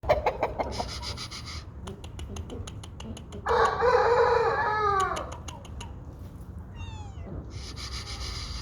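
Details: Aseel rooster on a farm giving a harsh, hoarse crow lasting about a second and a half, with clucking, clicks and background noise around it.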